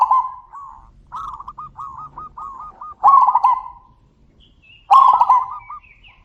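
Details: Zebra doves answering each other with loud calls: a string of softer stuttered coos, then two powerful rolling coo phrases about two seconds apart, with faint high chirps in the background.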